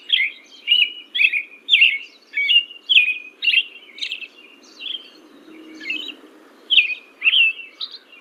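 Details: American Robin, a common yard and lawn bird of western Kentucky, singing its "cheery up, cheerio" song: short, clear caroling phrases rising and falling, about two per second with brief pauses, over a faint low hum.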